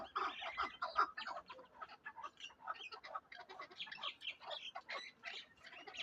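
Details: Darvoz chukar partridge, a tethered hunting bird kept in Tojikobod district, Tajikistan, giving rapid, rough clucking chuk notes repeated about two or three times a second in uneven bursts.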